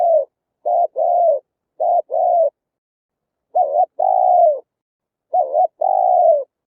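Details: Lure recording of spotted dove coos for trapping birds: repeated phrases of short hollow notes followed by a longer sliding coo, groups spaced about a second and a half apart, no other sounds.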